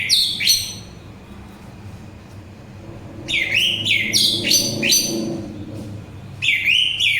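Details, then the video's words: Orange-headed thrush singing, a recording meant to soothe tiredness and lure birds: loud downslurred whistled phrases with a pause, then a cluster of repeated bright notes and a final phrase, over a low hum. "Begitu Syahdu Suara Anis Merah"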